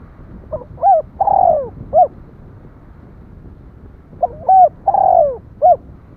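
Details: Spotted dove cooing twice about three and a half seconds apart, short notes leading into a broad, drawn-out falling coo and a closing note, over steady low background hiss.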